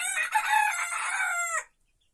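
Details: A small rooster crows in the henhouse: a single loud, harmonic-rich crow held for about one and a half seconds, slightly wavering, then a brief downward drop at the end and silence.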